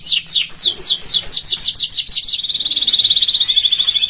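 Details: Canary song for training practice: quick falling sweeps repeated rapidly for about two seconds, switching to a sustained rolling trill held at one pitch; faint low hum in the background.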